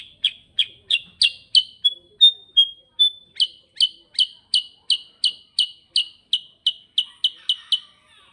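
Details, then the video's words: Clean, quiet-backed recording of a kutilang sutra (sooty-headed bulbul) in nonstop ngerol song: about twenty-five crisp falling chip notes in a brisk steady beat, interrupted once by a few short flat whistles. "Suara GACOR NGEROL KUTILANG SUTRA"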